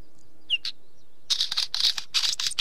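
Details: Wheatear giving a brief high whistle and a sharp note, a pause, then a run of harsh, scratchy, rasping chatters in quick succession.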